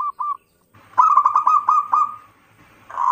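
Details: Local zebra dove used as a lure, singing two short soft coos, then a quick, rolling run of bubbly, mellow notes, ending with one more sustained coo.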